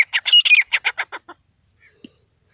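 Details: Grey francolin (desi teetar) in the jungle giving a burst of a dozen rasping notes that start loud and then slow and fade away, followed by quiet and one faint soft note.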